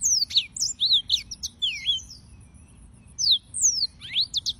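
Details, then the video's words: Yellow-fronted canary (Serinus mozambicus) in song, with bright fast whistles and slurred chirps, a brief lull midway, then a few more high swept notes. "Suara Burung - (Serinus Mozambicus) White-tipped Green Singers Singing"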